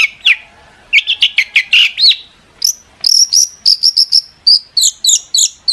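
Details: Long-tailed shrike singing to provoke rival shrikes to respond, a fast stream of sharp high notes and short whistles, about three per second, shifting between rasping chirps and clearer piercing tones.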